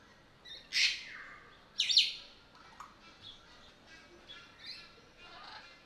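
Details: Sulphur-crested cockatoo at Belgrade Zoo, Serbia, filmed in August 2022 on a Panasonic AG-CX350 camera; two loud, harsh, raspy screeches about a second apart, then softer scattered chirps and squawks in the background.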